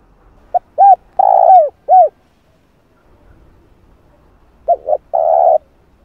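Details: Spotted dove cooing, played to lure and train a decoy bird: short hooted notes leading into a longer wavering coo and a final arched note, repeated after a pause with two quick notes and a sustained coo.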